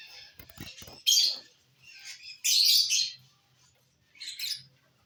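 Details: Three loud, harsh squawky bursts from lovebirds eating corn on the cob, 18 December 2022, after a soft opening of rustling and low knocks.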